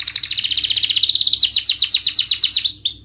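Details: Canary song used as a lure to stimulate reluctant, stressed birds to sing: a fast rapid trill of high notes repeated about four per second, shifting into a series of descending sweeping notes, with a faint steady low hum.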